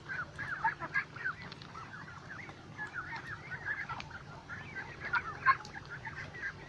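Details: Lakeside duck flock chattering nonstop, quick overlapping notes tumbling irregularly from many birds, with a brief louder burst near the end and a faint low hum beneath.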